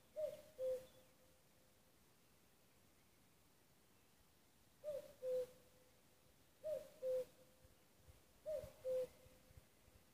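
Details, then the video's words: Common cuckoo calling in Nuuksio, Finland, on 6 May 2015: four two-note cu-coo calls, the first note higher and dropping onto a lower, steady second note, with a long pause after the first call. "Käki kukkuu"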